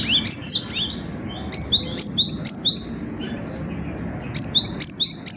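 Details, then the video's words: Bright, repeated song of a cinereous tit (gelatik batu): phrases of four or five sharp rising whistles, each phrase about a second long, with short silent breaks between them. "Burung Kicau Gelatik Batu Gacor"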